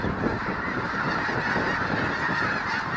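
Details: Snow geese in a spooked flock of more than 20,000 at a refuge, flying close and low: constant overlapping honking over a heavy low rumble of wing noise.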